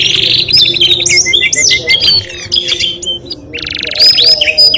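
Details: Canary singing continuously: dense, rapid trills and rolling warbles with sweeping whistled notes, barely pausing, over a low background hum.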